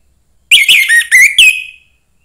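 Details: Single short phrase from a young wild-caught orange-headed thrush, sung to stimulate other thrushes: five clear whistled notes, slurred and dropping, under two seconds, in silence.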